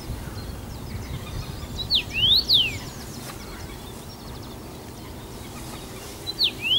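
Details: A first-summer male common rosefinch, singing abundantly from his usual branch near Bazel, Belgium, on 07/06/2015, gives a short phrase of clear, slurred whistles swooping up and down, a fragment repeated near the end; faint twittering and low rumble.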